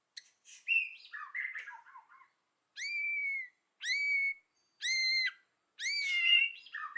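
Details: White-rumped shama in forest-style song: a jumbled warbled phrase, then long pure whistles repeated about once a second, the last one wavering.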